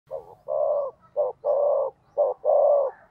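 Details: Spotted dove used as a decoy bird to provoke other doves into cooing: deep mellow coos in three short-then-long pairs, steady and evenly spaced over about three seconds, with no other sounds.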